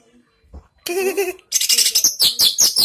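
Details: Loud, harsh greater green leafbird song during a voice battle with another bird: a grating buzzy burst, then a quick string of high squeaky notes.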